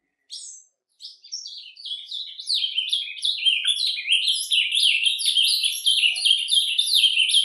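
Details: Surdina-style song of an ultramarine grosbeak in nature, beginning with a few separate high chirps, then building into a continuous fast stream of twittering, slurred notes that grows steadily louder.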